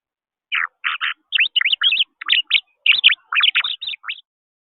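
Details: Blue finch at a feeder, ignoring the seeds offered and making funny noises instead: a jumbled run of short squeaky, buzzy chirps and quick rising and falling twitters, fairly loud, in bursts over about four seconds with no other sounds.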